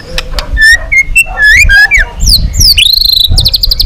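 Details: Long-song training for a White-rumped shama, meant to provoke other shamas into singing. A varied, fluid song of short whistled notes and rising and falling slurs ends in bright, high trilled notes, over low rumbling background noise.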